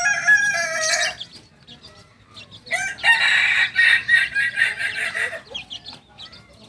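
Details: Two-month-old Kokok Balenggek cockerel, a singing chicken breed from Tigo Lurah, Solok, West Sumatra, crows: a short bright burst, a pause, then a longer raspy, rich multi-note crow lasting about two and a half seconds.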